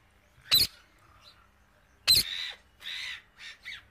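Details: Wild parrot eating grain gives two sharp, harsh screeches about one and a half seconds apart, then a few shorter, rasping chatter notes.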